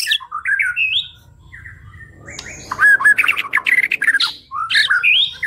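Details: White-rumped shama (murai batu) song used as tutor material for songbirds: a few rising whistled notes, then a quiet gap, then dense bursts of sharp chattering and clear whistles with a low background hum.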